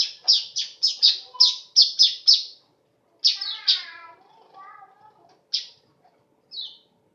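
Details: Weaver song made of a fast series of about nine sharp, high descending chirps, followed by a few lower harsher notes and scattered single chirps.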